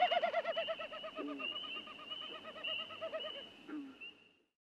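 Wilson's Snipe winnowing: a hollow, fast-pulsing, wavering hoo-hoo-hoo series that swells then fades, made by air over the tail feathers in display flight.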